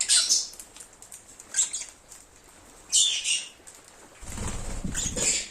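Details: Lovebird chirps: short shrill high squeaky bursts spaced a second or so apart, with a stretch of low rustling noise near the end.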